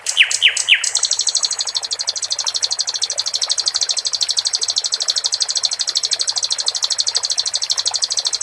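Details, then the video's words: Caged sikatan londo flycatcher singing, set to trickling water for tutoring other birds: a few downslurred whistles, then a long fast buzzy trill of high repeated notes, roughly two to three per second in pulses, over a soft watery hiss. "Sikatan Londo di Iringi gmricik air cocok Untum Masteran Dan memancing jagoan bos kuh berbunyi"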